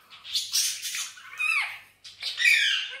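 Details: Indian ringneck parakeet, a green pet parrot, calling indoors: harsh broadband squawks with a falling, sliding note near the middle and a brighter screech at the end.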